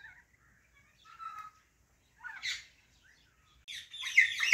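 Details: Sparse calls from a female Alexandrine parakeet: faint squeaks and a brief raspy chirp, then a loud, rough, scratchy squawking burst at the end.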